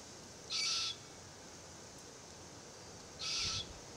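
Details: Immature Forest Red-tailed Black Cockatoo of a threatened family group, calling incessantly in a Marri tree as the adults feed on gumnuts; two harsh, grating screeches nearly three seconds apart against a calm background.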